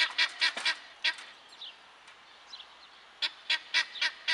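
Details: Helmeted guineafowl giving harsh, grating calls in quick clusters of four, a brief lull with faint higher squeaks, then another run of five rasping notes.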